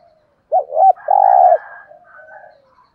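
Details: Decoy spotted dove, kept to make wild doves call, in the 'giọng thổ' voice style: two short rolling coos rise into one long, steady, hollow coo, then a soft trailing murmur. There is no other noise.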